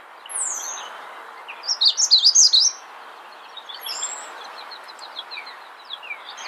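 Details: Magnolia warbler singing in the wild: one quick, high, jumbled phrase of sweet notes lasting about a second. Thin high whistles and scattered faint chips from other birds are heard before and after it.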